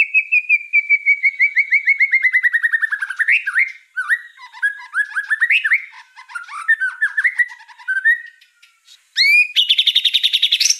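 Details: Tutor song of a White-rumped shama for young birds: a long, slowly falling run of rapid whistles, varied slurred phrases with brief gaps, then a loud, high, buzzy trill.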